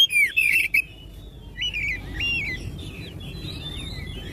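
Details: Oriental magpie-robin song meant to set other magpie-robins singing: a short run of loud, clipped whistles, then a series of softer, wavering, zigzag whistled phrases repeated at a moderate pace.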